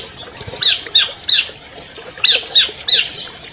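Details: Albino long-tailed shrike, a champion bird recorded to lure silent captive shrikes into singing, gives sharp, high squawking notes in two quick sets of three, separated by a short quiet gap.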